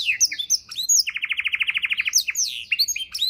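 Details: Canary singing a varied tutor song for songbirds: quick high slurred whistles, then a fast rolling trill of about fifteen even notes over one second, followed by rising and falling sweeps.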